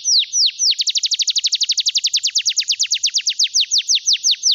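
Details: A canary's clean, loud trill meant to stimulate canaries that have stopped singing. A few slow, drooping whistles quicken into a rapid run of repeated high sweeps, then slow back to spaced, falling notes.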